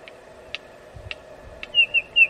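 A red-crested korhaan gives four sharp, spaced clicks about half a second apart, then three loud, high, piping whistles. A steady low hum runs underneath.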